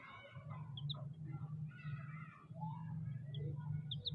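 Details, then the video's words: Chicks chirping: scattered high peeps and softer, wavering mid-pitched cheeps overlap above a strong, steady low hum. "chicks chirping sounds"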